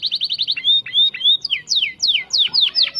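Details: Energetic singing canary, recorded as a tutor for shama songbirds: a quick stutter of short notes, then arched whistles and a run of loud, steeply falling sweeping notes repeated about three times a second.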